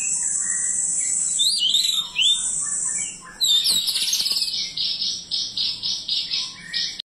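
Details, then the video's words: White-rumped shama giving high, thin whistled phrases, then a burst of sharp notes and a run of short high notes repeated about twice a second, over a continuous shrill buzzing background. "BURUNG MURAI"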